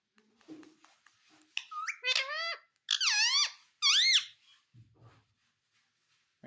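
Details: Pet parrot talking: a few loud, squeaky, wavering phrases with bending, warbling tones, separated by short pauses in a quiet small room.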